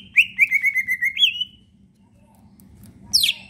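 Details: Singing caged leafbird, used to spur other leafbirds into song, gives a rapid series of rolling whistled notes for about a second and a half, then a pause and one sharp high squeal, over steady low hum.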